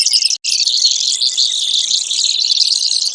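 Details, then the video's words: Brewer's sparrow trilling: high, fast buzzy notes, broken by one very short silence near the start, then flowing on without a break. "Brewers Sparrow Sound, Bird Call"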